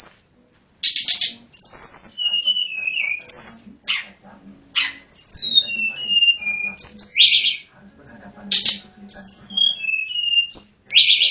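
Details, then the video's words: Sunda Robin (tledekan gunung) song used to lure wild birds: high buzzy chattering bursts mixed with thin whistled notes that fall in pitch, delivered in quick irregular phrases. "suara pancingan/ pikatan tledekan gunung"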